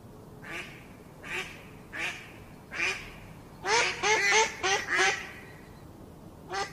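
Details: Pond duck quacking: four evenly spaced nasal quacks, then a quick run of five rapid, chattering quacks, and one final quack at the end.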